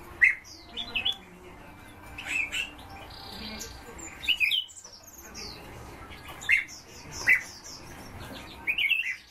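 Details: Caged azure tits during nesting give short, sharp high chirps, singly or in quick pairs, spaced every second or two, over a soft background hum.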